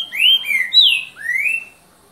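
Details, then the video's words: Green-winged saltator in "boca mole" song style, evening of 3 January 2019: a quick sequence of mellow whistles, two falling slurs, a high downward note, then a long rising whistle, with a clean background. "CANTO BOCA MOLE - TRINCA FERRO"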